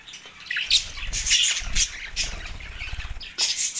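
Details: Mating-excited budgies, Larkana, Sindh, recorded March 9, 2024: scratchy squawks and sharp chirps in irregular bursts over low rumbling thuds, possibly wingbeats or movement.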